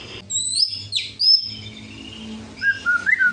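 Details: Song of a white-rumped shama, meant to stir up rival birds: high, thin whistles and a sharp downslurred note, then a brief pause and a lower, warbling phrase, with a low background hum.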